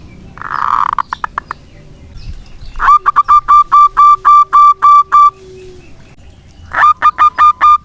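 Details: Local zebra dove singing busily to lure silent doves back into song: a harsh buzzy burst with clicks, then a steady run of ringing coos, a faint low tone underneath, and a new phrase starting near the end.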